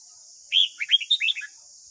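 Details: Red-whiskered bulbul morning song, white-cheeked type, played each morning to train and tame a young wild-caught captive bird; one second-long burst of rich, warbled notes, quick rising and falling slurs in close succession, over a steady high hiss.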